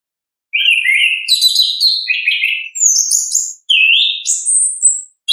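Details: Orange-headed thrush singing in its natural voice, used as a lure to prompt silent birds: clear whistled phrases sliding between mid and high pitch, some rising, others dropping, delivered in quick varied bursts with short pauses.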